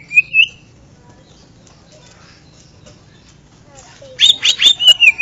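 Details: Greater green leafbird (Chloropsis sonnerati), song: a clear rising whistle, a pause, then a rapid burst of loud, sharp, chattering whistled notes.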